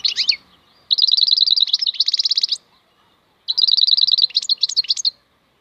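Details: Maknine, the European goldfinch, singing khalwi song: long rapid strings of bright, rattling twitters, with a tinkling, jangling quality and frequent changes of note, in two extended phrases with a pause between.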